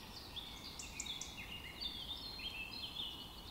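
Rufous Hummingbird giving high, thin chips and squeaky notes, some drawn into brief level whistles, scattered across a few seconds over a steady background hiss.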